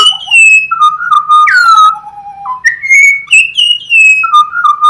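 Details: Loud Australian birdsong of pure whistled notes, sliding and stepping between pitches in a continuous run of fluting phrases with a few sharp clicks, heard close and clean.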